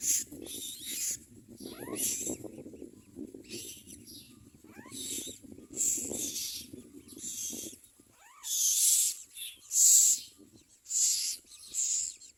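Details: Young common mynas scream for food during feeding with irregular hissing, rasping bursts, some short and faint, then a few loud screeches near the end, over low rustling that stops halfway.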